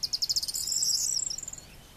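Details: Corn bunting song: a very high, dry jingling trill that starts as separate ticking notes, speeds into a fast glittering rattle, then slows and fades, with faint low background hiss.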